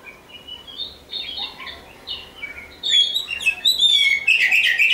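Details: Oriental magpie-robin song: soft, varied whistled phrases at first, then louder sharp, rich whistles and squeaky notes over a faint background hiss.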